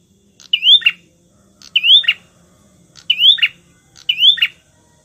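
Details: Bar-winged prinia, known locally as prenjak, sings to lure rival birds, repeating a shrill rising whistled sweep ending in a buzzy note four times at roughly one-second intervals, with a faint low hum behind.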